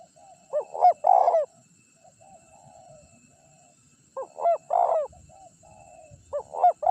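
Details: Spotted dove, a champion first-place singing bird, recorded as a decoy to lure wild doves; low hoarse coos in three-part phrases, pairs of short notes then a longer rolling coo, repeated about every three seconds, with a faint steady high hum.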